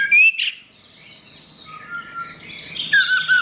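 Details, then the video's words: Orange-headed thrush song for coaxing a silent bird back into singing. Sharp rising whistles open and close the passage, around a run of scratchy, warbled high notes and a short level whistle. Steady low hum in the background. "Suara Anis Merah"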